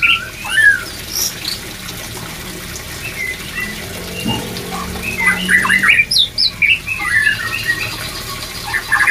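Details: Shama (white-rumped) singing for breeding-drive therapy: scattered curling whistles and chips, a quieter stretch with a low steady hum, then a livelier cluster of sharp notes and slurred whistles.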